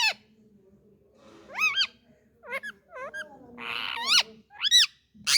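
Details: Indian ringneck parakeet, a talking parrot: a series of sharp, harmonic-rich arched notes that rise then fall, given in short bursts with gaps, plus one brief harsh buzzy note; a faint low hum underneath.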